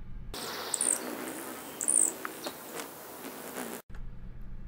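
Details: A singing male Chilean Woodstar (endangered) at its courtship display territory in thick bushes, Azapa/Vitor valleys, Atacama Desert, far northern Chile, September 2010. It gives two very high, thin squeaky notes about a second apart over a steady hiss.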